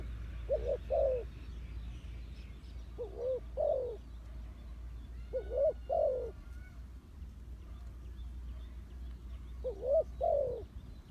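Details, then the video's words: Spotted dove used to lure wild doves into a trap, coo phrases spaced several seconds apart, each a pair of soft hoots, rising then falling, with a faint high chirp from another bird and a low hum. "The Sound Of Spotted Dove is so good"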